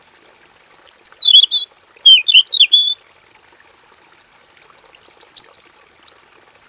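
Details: Male robin singing in a basic aviary, in long, rolling song. A fast series of rapid, looping warbled notes is followed by a pause, then thinner high chirps and whistles. A faint unbroken high tone runs throughout.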